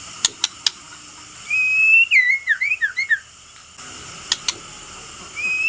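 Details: Male white-rumped shama used to rouse other shamas to aggression: sharp clicks, then a long rising whistle and a rapid tumbling run of short slurred notes. More clicks follow, and another whistle begins at the end.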